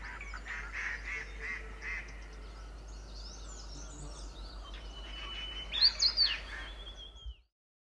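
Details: A pair of Himalayan (white-cheeked) bulbuls on a shrub at a sanctuary in Pari Tibba, Motidhar, India, give high, chattering chirps, ending in a louder quick burst of bright notes, while a hill barbet also calls, over a low background hum.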